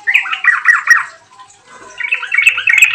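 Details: Yellow-vented bulbul in full song, played as a lure to prompt other bulbuls to sing: two bursts of rapid, gurgling chattered notes separated by a quiet gap of about a second.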